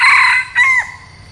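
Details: Ending of a decoy red junglefowl's crow, kept to attract wild junglefowl: a hoarse held note, a brief break, then a final drawn-out syllable that slides downward and fades.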